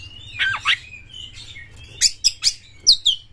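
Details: Oriental magpie-robin (kacer galak, aggressive) heard through a low hum: a few sweeping whistles, a thin rising note, then four sharp, high, clipped notes spaced about half a second apart.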